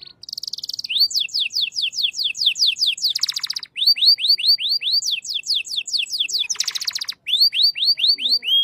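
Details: Shant-style canary in continuous song: rapid repeated upswept whistled syllables at about two per second, interrupted by harsh buzzy rattling rolls, then the whistled series resumes.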